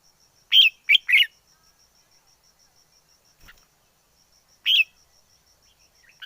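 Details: Wild forest red-whiskered bulbul singing: a quick burst of three short warbled notes, a pause of several seconds, then one more similar note. A thin steady high whine runs throughout.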